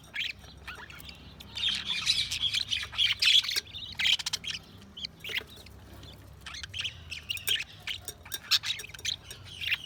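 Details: Budgies chattering steadily, a mix of warbled chirps, sharp clicks and scratchy squawks, louder in the first half and sparser later.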